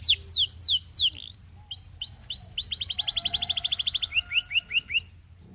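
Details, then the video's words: Canary song for coaching young birds: loud downslurred whistles repeated a few times, then a fast even roll of clipped notes and a paired chipping tour before fading out. "Make Your Canary Sing All Day Long!"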